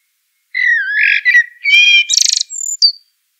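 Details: Common blackbird: a flowing fluted warble of several notes, then a buzzy, chattering high section and a final thin squeal at the very end of the phrase.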